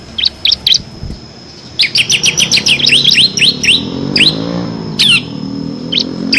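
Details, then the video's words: Bar-winged prinia singing a six-variation ngebren song used to train competition birds; a few separate high chirps, then a fast run of sharp notes, followed by scattered calls over a low rumble. "FULL NGEBREN‼️ CIBLEK KRISTAL GACOR ISIAN 6 VARIASI COCOK UNTUK MASTERAN BURUNG PRESTASI"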